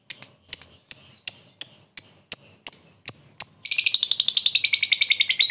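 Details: Lovebird lure calling a rival with the ngekek style. About ten sharp, high, separate chirps at an even pace, then a fast rattling chatter of rapid notes to the end.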